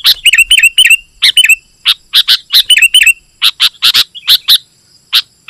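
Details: Sooty-headed bulbul pressing rivals with vigorous song: quick runs of repeated whistled notes followed by a series of sharp separate chirps, clean background.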